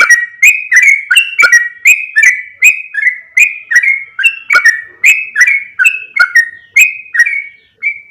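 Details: Attracting call of a yellow-vented bulbul, played to bring other bulbuls closer: a long, steady stream of chuckling, liquid whistled notes, roughly two or three each second, swinging between high and low pitches until one final note.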